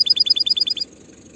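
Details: Canary song played to young birds to teach them early for the next season: a fast even run of about thirteen short bright chip notes, roughly fifteen per second, ending abruptly into quiet background hum.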